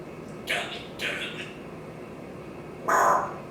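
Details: Pet parrot on its stand in a home kitchen and dining area during its morning routine, giving short raspy squawking bursts twice in quick succession, then a louder harsher call near the end; a voice speaks just before.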